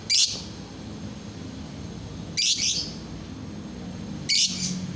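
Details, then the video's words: Lovebird whose voice is meant to prompt other lovebirds to sing, giving three loud, rasping high screeches about two seconds apart over a low room hum. "bikin lovebird yang lain ikut bunyi"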